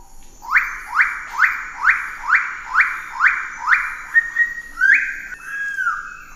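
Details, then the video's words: Pale-billed sicklebill calling in a steady run of about eight upslurred, rasping notes roughly every half second, then a few flat whistled and wavering notes at the end. "Suara Burung Surga Cenderawasih Paruh Sabit Paruh Putih Pale Billed Sicklebill Drepanornis Bruijnii"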